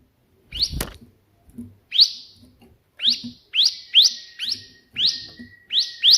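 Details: Bar-winged prinia with 'tembakan'-style burst song used for tutoring: spaced upslurred chirps, becoming quicker toward the end, after an opening click; a thin steady whistle-like tone runs beneath the later notes.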